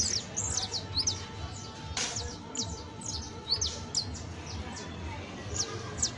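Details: Juvenile saffron finch (Sicalis flaveola) delivering scattered bright, steeply descending chirps in irregular clusters, with a low continuous hum beneath and one sharp click near the middle.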